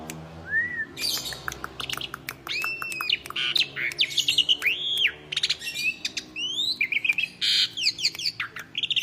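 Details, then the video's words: Asian pied starling kept as a pet, calling gacor mompa: a short rising whistle, then loud arched whistles, rasping bursts and clipped chirps tumbling together with barely a gap. "Jalak Suren Gacor Mompa Koar-Koar Suara Jernih"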